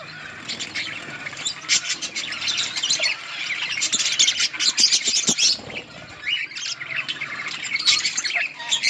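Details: Budgerigars in a colony chirping while eating green leaves; dense overlapping chatter of warbled, scratchy high notes with squawks, continuous throughout, loudest around the middle, with clicking sounds mixed in.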